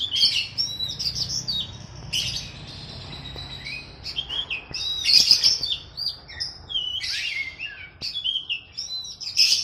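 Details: Oriental magpie-robin training song used to get captive birds singing, paired with sooty-headed bulbul: high, varied whistled phrases and sweeping slurs, broken by short pauses, with faint low hum beneath.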